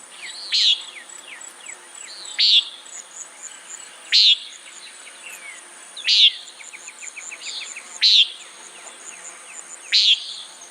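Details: Repeated buzzy nasal calls of a common nighthawk, six in about ten seconds at regular spacing, mixed with quick falling chirps from other birds and a high insect drone.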